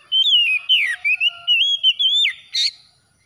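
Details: Oriental magpie-robin (kacer) played as after-dawn therapy for a stressed bird: loud, varied whistled phrases, sliding and wavering, given in quick bursts about every half second, ending with a sharp buzzy note.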